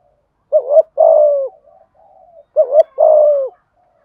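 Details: Spotted dove coo phrases used to urge a wild dove into cooing: two phrases, each a wavering double note then a long smooth coo, separated by soft faint murmuring notes.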